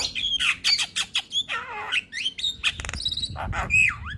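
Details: Javan myna tutor song: squeaky whistles, a long falling grating note, a buzzy rattle and a final swooping whistle, delivered in quick, uneven bursts.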